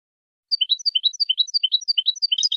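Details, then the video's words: European goldfinch training song: lively twittering of high rising and falling chirps, repeated about five times per second, with a denser burst at the end. "تعليم الحسون أفضل تغريد في العالم بدون أخطاء"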